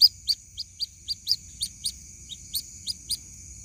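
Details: White-breasted waterhen chick calling its mother in a lure recording: about a dozen piercing high peeps, evenly spaced about a quarter second apart, over a thin continuous high whine.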